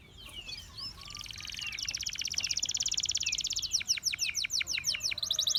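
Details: Gloster canary song beginning faintly over a hiss, building into a dense fast trill, then a string of loud downslurred strokes and a closing high rapid trill.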